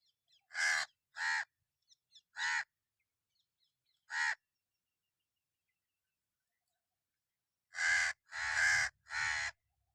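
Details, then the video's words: Hoarse, grating crow caws, four spaced calls followed by a long gap and then a quick run of three rougher, louder caws. No other sounds intrude. "Crow sound effects 2024, crow bird crowing sound"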